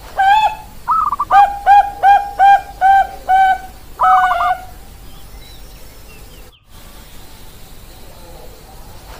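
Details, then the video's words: Bangkok-strain zebra dove (perkutut) cooing: a string of about eight short, evenly spaced mellow coos with rich overtones, followed by a trilled rolling phrase and a final coo, then quiet background. "suara perkutut bangkok"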